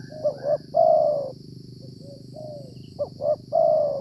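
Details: Wild spotted dove (tekukur) cooing during decoy trapping in the rainy flood season, when calling birds are usually the area's dominant male: two short rising notes then a long, level, mellow coo, repeated about every three seconds, with a steady high insect-like hum and low rumble.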